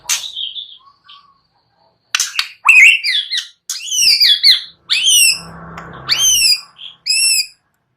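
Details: Lively white-rumped shama song meant to stir other shamas into singing: clear whistles and loud, downward-sweeping chattering notes in separate bursts, with short silences between phrases.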